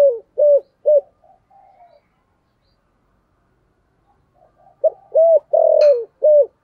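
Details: Decoy spotted dove giving a 'thổ'-style coo: a few short, deep hoots and soft murmured notes, a long silence, then another phrase of hollow coos with a stretched central note.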